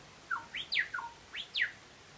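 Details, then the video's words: Singing butcherbird giving clear fluty whistles: a low level note, then a rising slur into a sharp falling one, another low whistle, and the rising-then-falling pair repeated, all within about two seconds. "Butcher bird singing"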